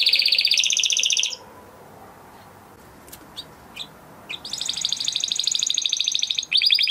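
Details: Captive crested Spanish Timbrado canary from 2020 breeding with training song: a dense high trill, a quiet pause broken by a few soft chips, then a long, even rolling trill resuming.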